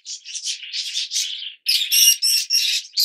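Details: Indoor Yellow Fischer's lovebirds, the oldest colour mutation of the species, giving rasping, buzzy chatter in uneven bursts, then louder, harsher screeching notes after a short gap.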